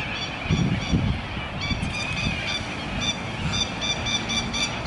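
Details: A large flock of cockatoos in Adelaide, Australia, gives harsh, honking calls that overlap almost constantly, several each second, over a steady low rumble like distant traffic.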